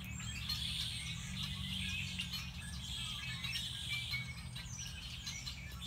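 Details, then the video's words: Several songbirds sing at once at Beddis Beach, Salt Spring Island, in February, a dense tangle of high chirps, trills and whistles over a steady low hum. "Sounds of Song Birds"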